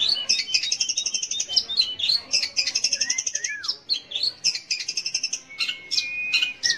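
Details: Song of a long-tailed shrike, used as a lure to get young or mute shrikes singing: rapid buzzy chatter in bursts, broken by a long falling whistle and a sustained steady whistled tone near the end.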